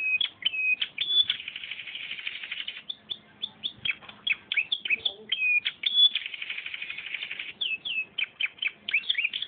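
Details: Canary with a filler song of cimblek-style notes: rapid varied whistles and chirps, sharp downward slurs alternating with buzzy rolling trills, continuous and bright, with faint low background noise.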